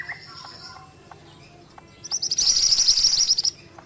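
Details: Ashy tailorbird in lively song. Soft, scattered lower notes come first, then a loud, high, rapid chattering trill of about one and a half seconds.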